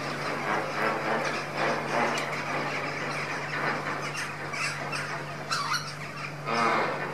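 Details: A flock of lesser flamingos feeding indoors keeps up a dense, goose-like murmur of overlapping nasal honks and grunts over a steady low mechanical hum.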